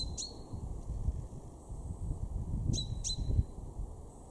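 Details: Male chaffinch among garden birds of Weener, East Frisia, Germany, March 2023: one loud clipped 'pink' note, a pause of two seconds, then a close pair of the same sharp notes, with low rumbling background noise.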